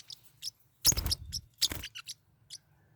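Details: Kept Forpus parrotlets in a fight give sharp, high chirps broken by two loud, scratchy bursts of scuffling and harsh squawks, then a few isolated tweets.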